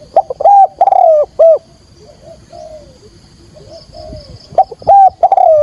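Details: Decoy spotted dove calling to lure wild doves for trapping, thúc gù style; loud burst of three overdriven coos, a quiet stretch of soft falling coos, then another loud three-note burst.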